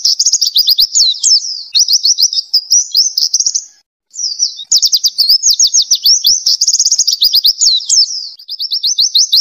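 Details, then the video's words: Oriental white-eye in full 'ngelas' song used for training songbirds: dense, shrill chattering and quick descending whistle runs, one short silence around four seconds, then an equally busy high-pitched stream. "MASTERAN NGLAS PLECI GACOR FULL ISIAN"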